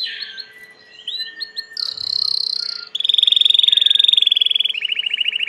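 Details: Domestic Belgian canary in full song: mixed chirps and upswept notes, a loud harsh held phrase, then a long bright rapid trill that steps down into a slower rolling series.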